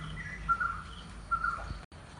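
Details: Barbet in Kerala, India, giving two mellow, hollow tonal notes about a second apart, steady in pitch, over a low background rumble.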